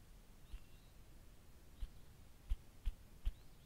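A ruffed grouse drums: five deep, muffled thumps that start about a second apart and quicken toward a roll. A faint high bird note sounds early on.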